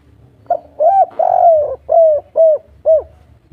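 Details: Spotted dove in the local 'kuk 3' style, calling a female: a compact phrase of soft, round coos, a short note, then a longer drawn-out coo followed by three evenly spaced arched notes, over a low hum.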